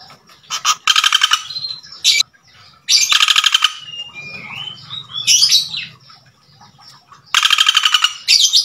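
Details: Common Flameback, a male calling to a female, gives repeated hard rapid rattles, each about a second long. Squeaky high notes and a soft descending whistled phrase are heard between bursts.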